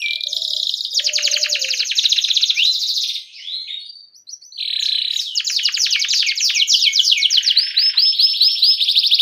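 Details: Lively canary in full 'ngerol cuit cuit' song, used as a tutor recording so young canaries start singing: dense high buzzy rolls, a brief pause, then rapid rattling trills and quick chirps resuming.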